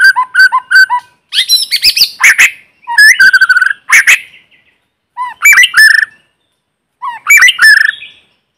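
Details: White-rumped shama lure bird singing in forest to excite other birds, no background noise: bursts of rich varied phrases mixing clear whistles, harsh squawky notes and buzzy chatter, separated by short pauses.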